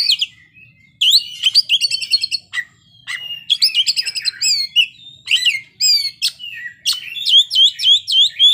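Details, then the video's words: Kacer (magpie-robin) in energetic 'ngeplay' song, pouring out its learned phrases: fast repeated chirps, ringing whistles and trills, roughly three to four notes per second, continuous after a brief opening pause. "kacer ngeplay bongkar isian"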